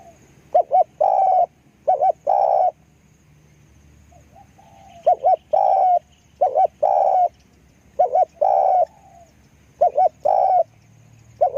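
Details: Decoy spotted dove cooing in three separated phrases, each a clipped double note followed by longer, slightly rising hollow coos, with quiet pauses between phrases and faint background hum.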